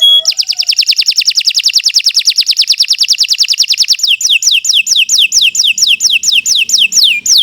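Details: Canary in full song as a training recording for other birds: a rapid, even trill of about seven notes a second, then slower repeated descending whistles.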